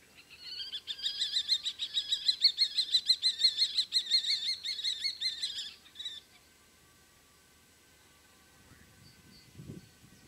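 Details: Common kestrels calling during mating: a fast, harsh, ringing series of sharp notes repeated about three times per second for some six seconds, then sudden quiet with a faint low rumble near the end.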